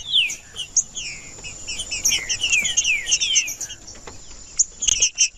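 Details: Male green-winged saltator singing to warm up and provoke rival males, a rapid series of descending whistled slurs followed by sharper high chips, with a constant high-pitched hum behind.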